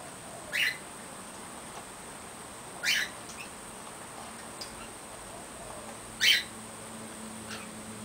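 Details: Caged female short-billed corella using a spinning foraging wheel toy, giving three short, harsh, scratchy calls spaced a few seconds apart, with quieter clicks and a steady background hum.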